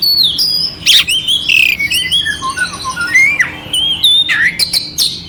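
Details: Oriental magpie-robin song with coarse, scratchy fill, meant to excite another magpie-robin: steady whistled tones, gliding falling notes and occasional harsh bursts at moderate loudness.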